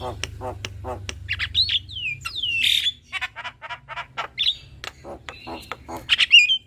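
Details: A black-winged starling pair, male and female, in duet: scratchy grating notes alternating with sliding whistles and a loud swooping squawk, ending in harsh rising calls.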